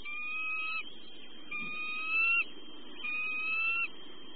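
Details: Eagles at their nest in southwest Florida, recorded by a nest camera at 6:37 PM on 17 March 2013 during family time after bringing in more fish: three drawn-out whistled whines, each under a second, about 1.5 seconds apart, over a steady high electronic tone.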